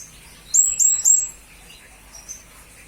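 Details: Blue-crowned hanging parrot tutor recording for magpie-robins and green leafbirds: three shrill, high, hooked notes in quick succession, then a faint lone chip after a short silence.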